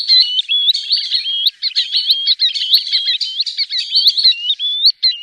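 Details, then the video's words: Green sandpiper gives a steady, overlapping run of clear, high whistled notes, several rising or bending, following each other quickly with no other sounds. "Green Sandpiper Bird call | نداء طائر الرمل الأخضر | صدای پرنده ماسه‌رو سب"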